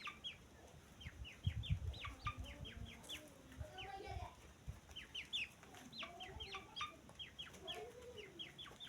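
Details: Peeping of grey francolin (teetar) chicks: sharp, downward-sliding whistles repeated about four per second in loose bursts. Low rumbling handling noises are heard early on.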